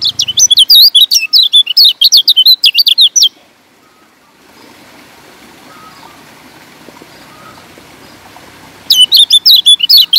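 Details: Lombok kecial kuning, a yellow white-eye, singing a lure song for wild birds: quick strings of bright, high twittering notes for about three seconds, a long quiet gap with faint background hiss, then chattering resumes.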